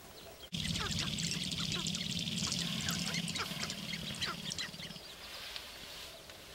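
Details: Sharp-tailed grouse on a lek in Northern Wisconsin, April 29, 2021: a dense chorus of quick clucking and chattering notes over a low, rapid buzzing rattle that stops after a few seconds.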